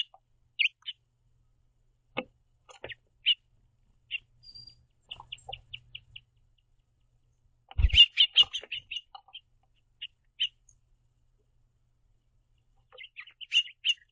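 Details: House finches, a pair feeding on seed at a backyard platform feeder and communicating; sporadic bright chirps, then a dense burst of rapid twittering notes mixed with feeder clatter, then more chirps near the end.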